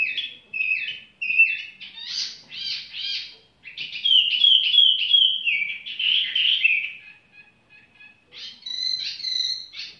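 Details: Relaxed song of a tiểu mi bird: clipped whistles and choppy chirping notes flowing into a sustained warbling stretch, a brief lull, then a few more high phrases.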